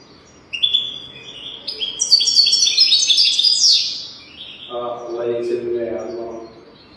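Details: Tutor song of a European goldfinch for training young birds to sing: rapid liquid twitter climbing into a dense, buzzy, very high jangle, then a lower harmonic, voice-like sound at the end.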